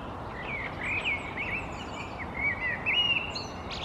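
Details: European goldfinch foraging high in a tree in Helsinki, Finland, in April 2022: quick, liquid, tinkling twitter notes in loose bursts, rising and falling, over a steady low rumble of background noise.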